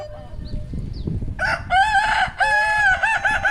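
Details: West Sumatran Kukuak Balenggek chicken from Padang: a low rumble and faint background sounds, then a loud ringing harmonic crow with a brief break partway through.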